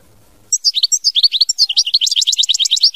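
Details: European goldfinch, or Chardonneret, in a sustained, fast stream of twittering and trilled notes that rises in density toward the end, loud and close after a brief quiet start.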